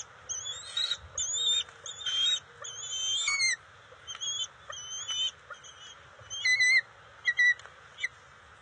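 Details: June 29, 2021, NCTC nest, juvenile bald eagles during eel and fish deliveries, scuffling and sharing: rapid bursts of shrill, slightly wavering piping notes in clusters, then scattered single chirps, some with falling tails.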